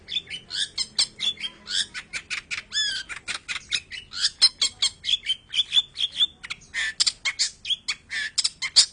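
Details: Long-tailed shrike singing a fast, varied song: a dense stream of high, sharp chirps, slurred whistles and squawky notes packed tightly together for the full nine seconds with barely a pause.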